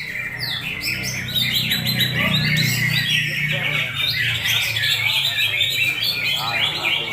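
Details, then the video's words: Sumatran leafbird, a champion bird, in a dense, fast stream of chattering notes, twittering trills and sliding whistles mostly high in pitch, with a low steady hum and busy background noise throughout. "CUCAK HIJAU SEMAR NADAKAN JUARA"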